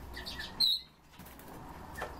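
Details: A pet common starling named Zhorik gives one loud, pure whistle with a slight downward slur while being coaxed to sing. Fainter high chirps come before it, over a low room hum.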